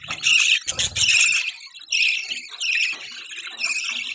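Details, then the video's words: Budgies making mating sounds: scratchy, squawky chirps and twitters in uneven bursts, with low knocking noises early on. "budgie chirping sound|budgie sounds|budgie mating sounds"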